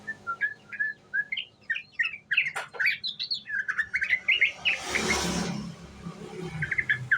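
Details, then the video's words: Ngriwik song of a young sooty-headed bulbul used to lure: a steady string of quick, bouncy chirped notes, briefly covered by a rush of noise around five seconds before the chirping returns. "Pancingan Trucuk muda Ngriwik"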